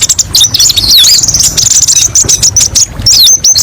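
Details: Kolibri ninja sunbird, a kept songbird, singing a fast, high, varied chatter of sharp whistled 'shots', with quick rising and falling twitters packed together and barely a pause.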